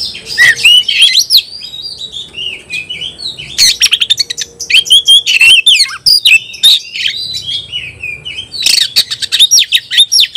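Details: Oriental magpie-robin in full 'ngobra' song, countering a rival. Rapid, varied high whistles, slurred notes and sharp clicks pour out almost without pause.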